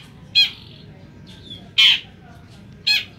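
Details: Long-tailed shrike, a semi black-headed form, giving three loud, harsh squawking notes spaced about a second or more apart against a quiet, faintly noisy background.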